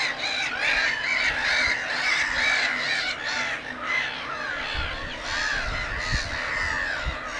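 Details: Breeding colony of Black-headed Gulls at Lake Hornborga beside a Great Crested Grebe couple; dense, raucous chorus of rasping, downslurred cries from many birds at once, rapid and unbroken, with low thumping noise in the background.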